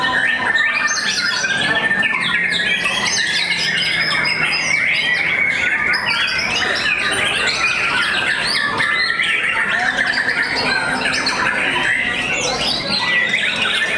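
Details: White-rumped shama at a singing contest, singing a loud, unbroken stream of varied whistles, chatters and harsh squawky notes, with other birds' calls crowding in behind.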